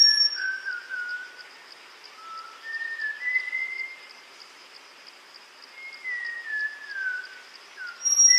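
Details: Malabar whistling thrush recorded in May at a water hole in Tamhini forest, Western Ghats, India, where multiple individuals come to cool off; long, lazy whistled phrases sliding up then down, separated by pauses, over a steady rhythmic insect drone.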